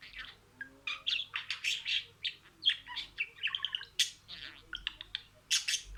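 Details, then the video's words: Budgerigar imitating words in sequence: quick bursts of buzzy, clicking chatter and thin squeaks, pulsing several times a second with short silences. "SIRALI KELİMELER, MUHABBETKUŞU SESİ,MUHABBETKUŞU KONUŞMA SESİ DİNLE"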